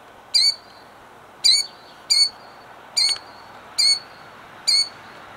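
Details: A killdeer protecting her eggs in Jackson, New Jersey, during 2008 gives six piercing, clipped cries spaced under a second apart, over soft background noise.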